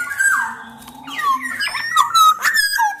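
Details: Singing black-naped oriole, a Sumbawa bird recorded as a lure for reluctant orioles: continuous tumbling whistles mixed with rough, buzzy notes and quick downward slurs.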